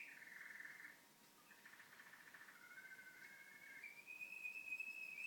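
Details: Canary kept at home singing soft, low whistled phrases: a steady tone, a gurgling stretch, then a long clear whistle slowly climbing in pitch.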